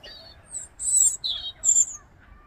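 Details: A European robin singing in winter: a quick run of thin, very high notes, with a few sharp sweeps and liquid trills in close succession over a quiet background.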